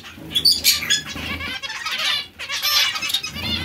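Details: Zebra finch notes: a few sharp high squeaks, then longer buzzy, nasal chatter in two bursts separated by a short lull.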